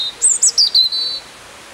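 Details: Short, bright snatch of European robin song in a Scarborough park, Peasholm Park: a few quick, very high chirping notes sliding down into a thin, sustained trill.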